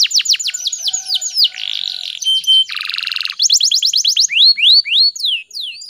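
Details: Breeding-condition female canary whose song is meant to get males singing: descending whistled sweeps, a buzzy roll, a lower rattling burst, then rapid trills and rising chirps.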